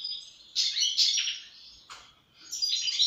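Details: European goldfinch producing dense, bright twittering with buzzy, liquid notes in two bursts and a short gap between.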